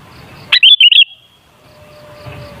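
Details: Sooty-headed bulbul singing, used to provoke bulbuls into song: one quick bubbly phrase of four clear whistled notes, sharp onset then a warbling run, followed by quiet with a faint steady tone.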